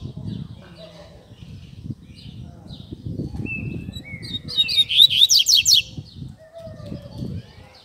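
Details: Double-collared seedeater singing Tui Tui Zel Zel song to train young seedeaters: scattered soft chips and slurred whistles, then a loud, quick cascade of high descending notes near the end. Low rumbling thumps continue underneath.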